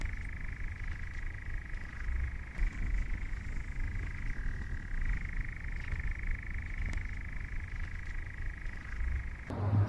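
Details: Nightjar on Mallorca in early to mid July 2022, heard while a hedgehog was moved off a road, churring in a steady, unbroken mechanical trill that dips briefly midway, over a heavy low rumble of wind or distant engine.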